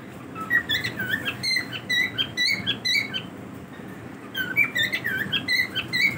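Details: Pet cockatiels in their daily routine, uttering quick high chirps and upslurred whistles in clustered bursts, a quieter gap near the middle, then renewed chatter; steady low room noise underneath.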